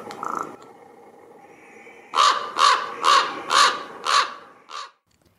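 Common Raven giving a series of five hoarse, croaking calls about half a second apart, then a shorter sixth croak.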